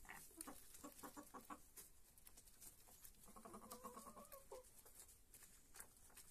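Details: Hens eating lettuce, giving soft low clucks in short repeated bursts amid rustling and pecking noises.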